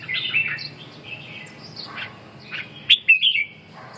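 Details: Red-whiskered bulbul giving soft warbled whistles, then a sharp pair of bright chirps near the end, against a constant low background hum.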